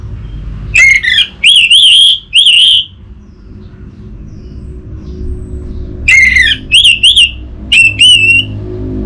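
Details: Orange-headed thrush singing, used as a lure for a quiet captive bird: two bursts of three loud, ringing whistled phrases each, some slurred and wavering, separated by a pause of about three seconds, with a faint low hum.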